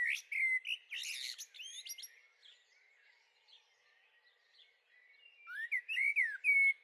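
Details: Second young Common blackbird in a garden on 23 May 2013, calling in two bursts of high, squeaky chirps and short whistled notes about three seconds apart, with faint outdoor background.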